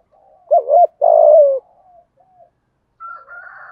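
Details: Spotted dove decoy bird giving a partial 'thúc gù' coo in 'giọng thổ' voice, meant to draw wild doves to the lure: a brief hollow note, then a long falling coo, followed by a faint higher steady whistle.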